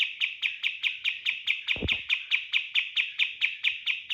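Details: Cotton bird, a training lure song of the rapid-fire style, giving a fast series of sharp, identical chip notes about every quarter second, steady and insistent, with one brief low thump midway.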